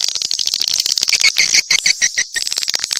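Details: Mixed swiftlet calls: short high chirps come in quick uneven pulses, each one buzzy and slightly descending, with faint clicking underneath.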